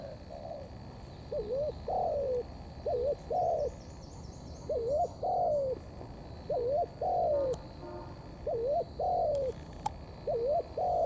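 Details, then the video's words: Steady thổ pha cấn sấm cooing from a wild-caught spotted dove: five to six phrases, each a quick bouncing double note followed by a long falling coo, with brief high twitters from a small bird behind. "Bổi Thổ pha Cấn sấm"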